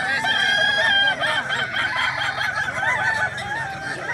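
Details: Kukuak Balenggek rooster at a singing contest in Danau Bawah, 6 October 2024, gives a strong, sustained crow that breaks into a rapid series of wavy, stepped syllables, with many other roosters crowing behind it.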